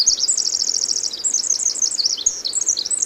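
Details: Pacific wren at the Hoh rainforest visitor center, June 2011, mid-song: an unbroken stream of shrill, rapid notes, a tight fast trill at first, then tumbling twittered phrases.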